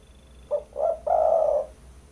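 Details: Spotted dove (derkuku) lure call for bird trapping: two clipped low coos followed by a long, steady, slightly rough coo.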